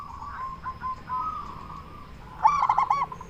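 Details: Indonesian local zebra dove, used to lure other doves into answering: faint, wavering coos at first, then a sudden loud burst of quick rolling notes near the end.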